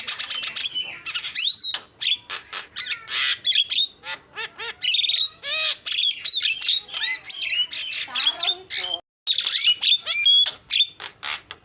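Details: Javan myna in chatty full song: dense harsh squawks, scratchy rattles and bent whistles tumbling over one another, with a short break near the end before more whistled notes.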